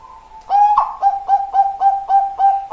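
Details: Bangkok-type zebra dove (perkutut) singing: after a quiet half second, a steady run of short, mid-pitched, hollow cooing notes repeated about every quarter second, each starting with a brief rich attack, then a level tone.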